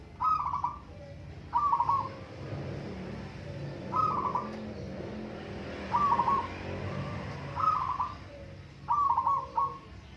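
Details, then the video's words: Local zebra doves in a singing contest, giving six trilled, quavering coo phrases around mid pitch, each about half a second long and spaced one to two seconds apart, over a steady low rumble. "Burung perkutut lokal adu suara"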